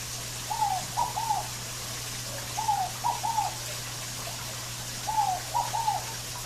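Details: Scaled dove in a natural setting, singing three-note cooing phrases, the first note slurred downward and two brisk notes after, repeated about every two and a half seconds against a constant low background hum.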